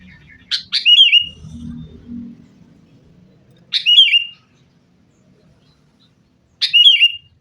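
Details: Sooty-headed bulbul lure song for caged birds: three brief bubbly whistled phrases spaced roughly three seconds apart, with some low rumbling noise early on.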